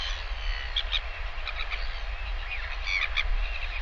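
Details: Parent northern royal albatross returns to feed its chick lunch, filmed by a live nest cam on 20 August 2023; scattered high chirps and squeaks, grouped near the start and end, with constant wind roaring underneath.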